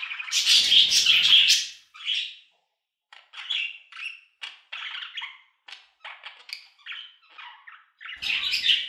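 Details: Budgerigar sounds for sleep: a loud scratchy burst, then many short separate chirps and clicks in quick succession, ending with another chattering burst.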